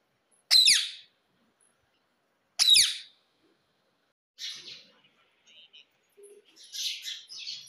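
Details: Rose-ringed parakeet kept as a talking-trained pet: two loud, sharp downslurred screeches two seconds apart, then softer scratchy chatter.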